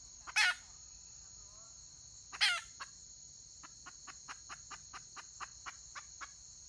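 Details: Two loud, grating squawks from a wild red junglefowl hen, 31 May 2023, followed by a long run of quick, regular clucks about three per second, against a steady shrill insect chorus.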